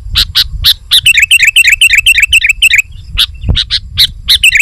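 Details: Sooty-headed bulbul singing hard to challenge and lure wild birds: a few sharp chirps, a rapid string of bubbly whistled notes, then more chirps over low rumbling noise.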